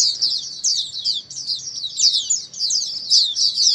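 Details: Massed white-eye song used as therapy for white-eyes that have stopped singing; a seamless band of bright, rapid, high twitters and warbles from many birds, without pause.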